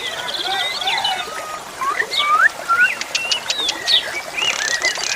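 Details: Jalak suren song: a mix of upward-sweeping whistles, short buzzy rattles and bright chirps, with a steady murmur of flowing water behind.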